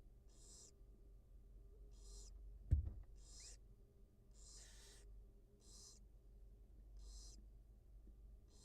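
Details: Wild barn owl nest where the mother feeds two newly hatched nestlings, nest camera; seven short, rasping hisses spaced about a second apart, with one sharp knock midway and a faint low hum.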